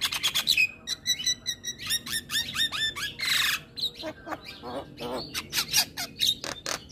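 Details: Morning song of a Javan myna: dense mix of chattering clicks, descending whistled notes and a loud rasping burst, continuous and varied throughout.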